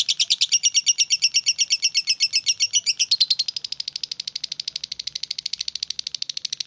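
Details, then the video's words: Lovebird singing a long ngekek trill in konslet style: rapid, high, chattering notes repeated about ten times a second for three seconds, then running on faster and softer without a break. "SUARA BURUNG LOVE BIRD KONSLET FULLL NGEKEKK"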